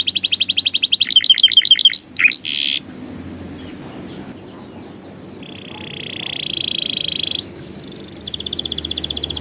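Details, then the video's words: Canary training song: rapid pulsed trills and swoops, a loud burst, a quiet gap, then a rolling trill rising to a high thin tone and a pulsing high trill. "MASTERAN PALING EFEKTIF BURUNG KENARI | COCOK UNTUK MASTERAN KENARI PAUD"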